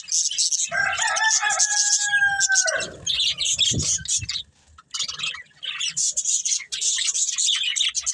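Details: Budgerigar breeding pair kept as a family, dense high chattering and chirping throughout, with a long drawn-out lower call sliding down near the start and brief pauses mid-clip.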